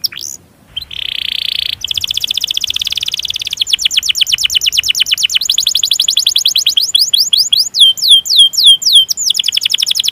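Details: Canary song with a long roll, meant to stimulate canaries that sing little. A sustained buzzy tone gives way to a long rapid trill that slows into spaced, down-slurred whistles.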